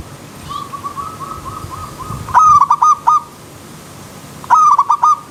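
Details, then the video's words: Zebra dove (perkutut) heard in a wild river-stream setting: a faint run of soft, evenly spaced notes, then two loud, abrupt cooing phrases of fast clipped beats, about two seconds apart. "Terapi Perkutut Alam Liar"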